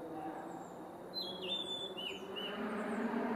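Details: Male blue-and-white flycatcher in song at Kawaguchiko Field Center, Japan, 4 May 2017: a phrase of high whistled notes, a long level whistle and falling slurs, over a rising low hum.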